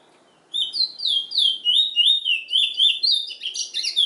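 A chestnut-bellied seed finch sings a fast, continuous warble of sweet, sliding whistles that swoop up and down, growing busier toward the end. The background is quiet.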